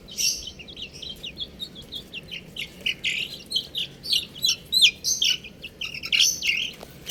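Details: Loud, busy peeping from a group of buff chicks: bright, high, slightly sliding chirps repeated in quick uneven runs, overlapping constantly from start to finish.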